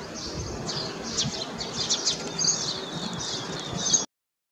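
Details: An Asian green bee-eater (Merops orientalis) eating an insect in Delhi during lockdown gives thin, high trilling chirps in quick bursts, over a steady background hiss and low rumble.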